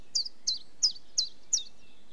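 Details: Five crisp, high chiffchaff notes, each sliding downward, evenly spaced about a third of a second apart against soft background noise.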